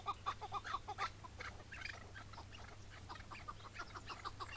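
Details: Chukar partridge in May 2017, morning, during a partridge hunt in which a bird was caught and later released; rapid, somewhat uneven series of clucking chuck notes, mid-pitched, running steadily throughout with faint background noise.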